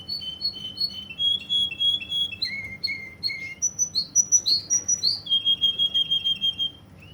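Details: Russian canary from Kuwait delivering a varied song of quick repeated notes, grouped in rolls at shifting pitches: high chirps, lower whistled runs, then a long rapid trill.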